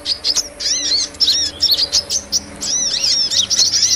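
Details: Lure call of a sunbird for trapping small birds: quick, squeaky high chirps and chevron-shaped slurred notes repeated in lively clusters, with a thin background hum.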